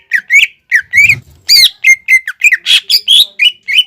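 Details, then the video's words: Greater green leafbird pouring out a varied whistled song, played to prompt beginner leafbirds to sing: about a dozen slurred notes in under four seconds, some rising, some dipping, a few harsher and buzzier. "PANCINGAN CUCAK IJO GACOR UNTUK MEMANCING CUCAK IJO BAHAN BELAJAR BUNYI"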